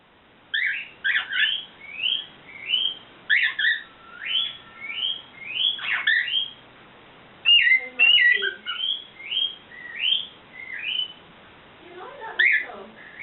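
A cockatiel repeats bright, rising whistled calls in quick succession, a few with harsher notes.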